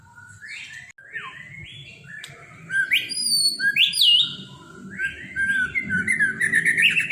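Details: A competition white-rumped shama delivers strange mimicked phrases, with a rich stream of slurred whistles, rising sweeps and trilled chatter that grows louder toward the end, and a low background hum throughout.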